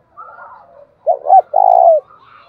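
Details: Decoy spotted dove cooing to provoke rivals. Soft, faint warbling precedes one clear phrase of two short bent hoots and a long steady buzzy coo, with quiet chirps continuing afterward.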